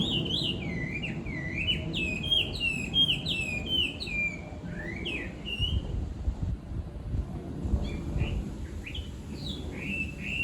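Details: Rural Chinese hwamei, the chattery bird that rouses the household each morning, delivering loud, varied whistled phrases of swooping, slurred notes in rapid sequence, a brief pause, then further bright twisting motifs, with low background rumble.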